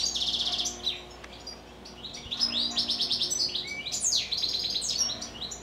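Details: Evening song of captive goldfinches: bursts of rapid repeated chirps and tinkling trills, broken by short pauses, with a lower buzzy note midway.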